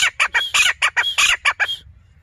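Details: Grey francolin, known locally as desi teetar, calling in a city: a rapid run of about ten loud, harsh, ringing notes at an even beat, some stretched and slightly rising, ending abruptly before a quiet tail.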